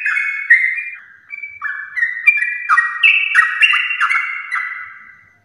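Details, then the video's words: Yellow-vented bulbul, a prize-lineage bird, singing a long rapid run used to prompt pet bulbuls to sing: liquid whistled phrases stepping up and down, dense and ringing, fading at the end. "Trucukan gacor ropel panjang TRAH JUARA untuk pancingan trucuk rumahan"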